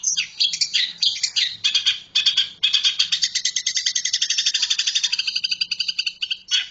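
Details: Long-tailed shrike giving a rapid, harsh, chattering run of scratchy high notes that pulse in quick succession and grow more even and evenly spaced toward the end.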